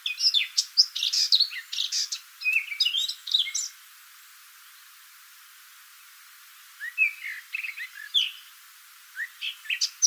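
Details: Eurasian blackcap singing on a shaded wooded footpath in the West Sussex countryside: two bursts of rich, fast, fluty warbling, each about three seconds long, separated by a pause.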